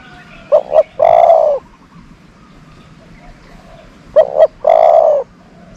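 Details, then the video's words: Decoy dove kept to lure wild doves, cooing: two quick clipped notes followed by a long rolling low coo, the phrase given twice about three and a half seconds apart, quiet background between. "นกต่อ เสียงนกต่อ"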